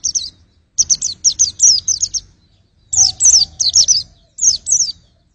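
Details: Bright, high-pitched white-eye song in separate phrases of three to six rapid sweeping chirps, each phrase split by short silences.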